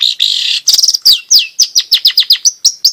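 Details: Long-tailed shrike singing in gacor style, played to stir quiet shrikes into song and to train young birds: a buzzy rasp at first, then a fast run of downslurred squeaky notes.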